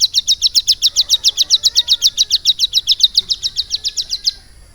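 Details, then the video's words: Tutored for about three months with lovebird song, a captive hill prinia delivers a long, rapid run of thin, piercing chirps, very steady, about four per second, for over four seconds. "CIBLEK GUNUNG GACOR ISIAN LOVE BIRD"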